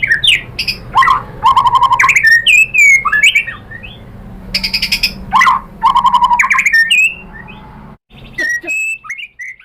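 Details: White-rumped shama singing to make other shamas answer: bursts of harsh buzzy notes alternating with low repeated whistles and rising sweeps, ending in scattered short phrases.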